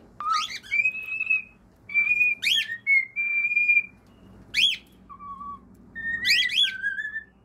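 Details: Cockatiel song mixing long, steady held whistles with sharp, fast upward-and-down sweeping chirps. The pattern is broken by pauses.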